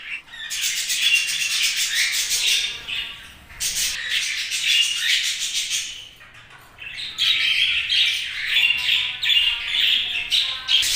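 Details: Pet budgerigars chattering in long raspy runs of fast clicking, buzzy chirps, broken by a quieter stretch around six seconds before the chatter resumes.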